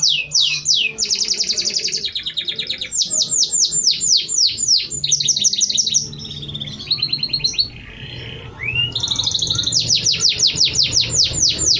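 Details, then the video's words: Canary recorded just before dusk, in song not yet fully warmed up but with nearly a minute of prinia imitation: rapid repeated downward-sweeping whistles, rattling trills and brief lower notes in continuous, shifting phrases. "kenari ini belum kelar mabungnya tapi durasi sudah nyaris 1 menit isian ciblek"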